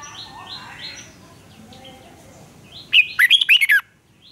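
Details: Red-whiskered bulbul singing duel to stimulate competitive song: faint distant chirps and murmur, then a loud, fast phrase of slurred rising and falling whistles near the end.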